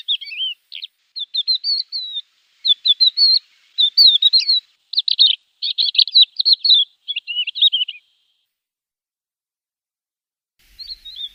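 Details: Branjangan, the Javan bush lark, in tutor song meant to draw responses from untrained birds: busy jumble of sharp twittering notes and slurred whistles for eight seconds, then silence and one faint closing phrase.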